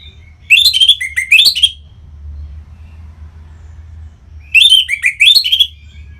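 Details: Orange-headed thrush song from Singaraja, Bali, used to coax other birds into singing: two loud bouts a few seconds apart, each of quick, up-and-down warbled and whistled notes, with near silence between.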